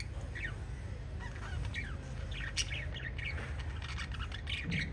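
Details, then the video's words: Family of five pet lovebirds chirping, with many short sharp high chirps scattered and overlapping over a steady low background rumble. "Five Little LOVE Birds Chirping Sound"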